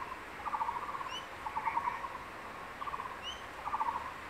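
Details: At a secondary-forest nest, a male crested goshawk with prey calls for the female: rapid stuttering chatter phrases of several clipped notes, given in a few bursts, while a small bird adds high thin upslurred chirps.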